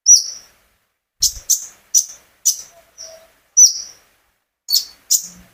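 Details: Kept olive-backed sunbird calling to stimulate other birds to sing: high, sharp chirps, some doubled, about 53 per minute at uneven intervals, with a brief thump and a faint low tone.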